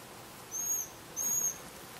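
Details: Young Eurasian pygmy owl perched on a branch in forest in the Jura, Switzerland, calling its parents with two very high, thin, slightly rising whistles about half a second apart over a quiet background.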